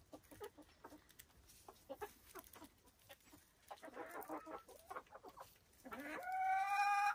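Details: Silkie chickens kept on a Vermont homestead give scattered short clucks, then a denser burst of chatter, ending with a loud drawn-out harmonic squawk that rises and holds.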